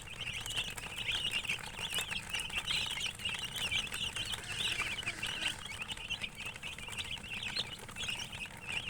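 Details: A brood of chicks peeps continuously, with shrill, wavering notes in a thick, overlapping stream and occasional soft clicks or taps behind them.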